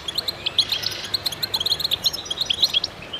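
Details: Chorus of goldfinches singing together: dense, bright twittering of quick high chirps and tinkling notes overlapping without pause, several birds calling at once against a faint steady hiss.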